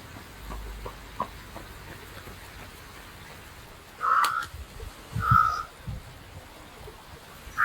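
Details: Carrion crow finding food and hiding it, calling now and then; gives two hoarse, low-pitched caws about a second apart, with a third starting at the end, over a quiet outdoor background with soft patter.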